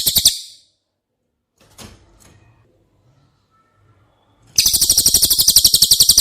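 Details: Cililin, training audio for caged White-rumped shama: a brief high trill tail, a quiet pause with faint knocks, then a fast, high, buzzy pulsed trill resumes.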